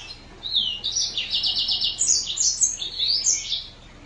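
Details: Mozambique canary, or green singer finch, singing a continuous bright warble of high trilled phrases and quick sweeping whistles for about three seconds, clear and close.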